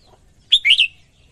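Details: Female red-whiskered bulbul singing to stimulate males: one short, bright warbled phrase of three liquid notes that dip and rise. A faint low rumble sits underneath.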